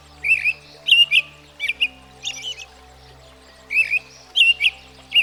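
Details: Common backyard American Robin singing clustered warbling syllables in irregular bursts, clear slurred notes with short silences between groups and faint low hum throughout.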